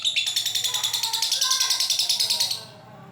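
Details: Lovebird giving its long ngekek, unedited. A fast run of sharp, high, evenly spaced chattering pulses lasts about two and a half seconds and then cuts off into quiet.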